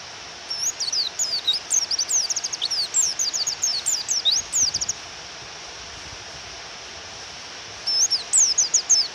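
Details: Rapid high-pitched downslurred chirps from a female Japanese white-eye calling to stir a male into song, a burst of about four seconds, a pause with only steady rain, then chirping resumes.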